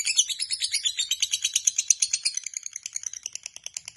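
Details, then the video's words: Caged Biola lovebird giving a long ngekek, the extended chattering song style, said to sing day and night: a dense, rapid stream of high, squeaky chirps and trills, several per second, strong at first and fading after about two and a half seconds. "Lovebird BIOLA ngekek panjang"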